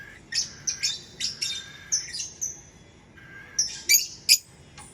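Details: Lovebird chirping in quick, shrill, squawky notes, some with fast rising and falling twists, delivered in uneven bursts with brief pauses between them.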